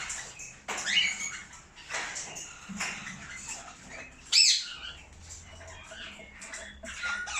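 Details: A breeding pair of cockatiels kept in an aviary, giving scattered harsh squawks and short chirps, with one louder screech near the middle and quieter chatter between calls.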